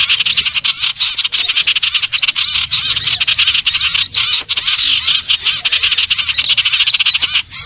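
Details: Common iora call used as a trapping lure: dense, continuous chattering of high, looping whistled notes and rapid chirps, busy and overlapping throughout with no pauses.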